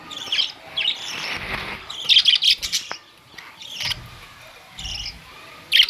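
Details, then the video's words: Budgie parrots recorded on May 2, 2023: sharp high chirps in small clusters with pauses between, plus a few soft low thumps in the background. "Budgies parrots"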